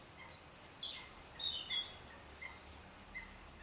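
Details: European goldfinch calling in February 2011 at the Harchies marsh, Belgium: a short burst of high, tinkling twitters and chirps, then a few sparse faint notes against low background rumble.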